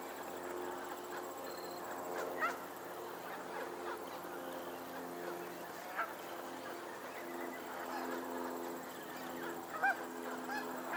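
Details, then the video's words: Geese on a lake in Pennsylvania give scattered single honks roughly every four seconds over a steady murmur of background sound. "the sound of geese on a lake in Pennsylvania"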